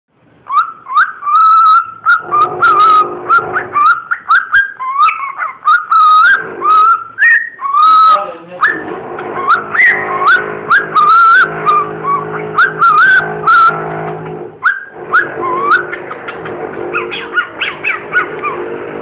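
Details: A pet cockatiel sings to a banana, whistling a warbling tune of clear, wavering notes broken by harsh chattery bursts.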